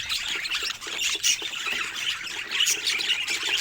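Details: Budgies showing varied colour mutations chatter busily, with scratchy squawks and quick high chirps overlapping, and a few louder bursts standing out above the steady din.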